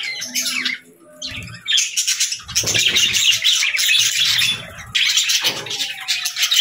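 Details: Budgerigars chattering in the morning: rapid, scratchy chirps and warbles pour out almost without a break after a brief pause near the start. Faint low knocks sound underneath.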